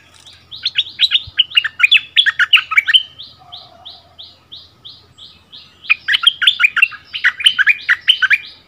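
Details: Bulbul dueling in song with a new resident territory holder at a former territory, February 2021: fast bubbling whistled phrases, a pause filled by a steady string of soft repeated chirps, then another rich warbled burst.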